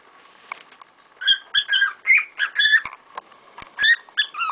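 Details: Household cockatiels kicking up a storm: after a faint start, loud whistled chirps with rising and dipping notes follow one another rapidly.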